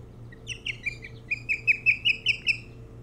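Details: Osprey at its nest on Hog Island near Bremen, Maine, recorded by nest camera on 3 July 2018 around dawn: a run of about eleven sharp whistled chirps, growing louder and quicker, over a steady low hum.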